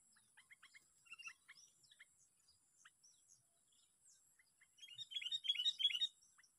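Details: Lure-caught sooty-headed bulbul, sixth day of a contest: scattered short chirps at first, then a loud run of rapid repeated bubbly notes near the end, against a faint constant high hiss.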